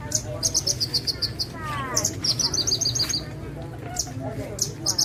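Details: Javan bushlark, Parva type, delivering rapid high trills of evenly spaced sharp notes, repeated in short runs with brief pauses, plus a few lower buzzy sweeps over a constant low background hum.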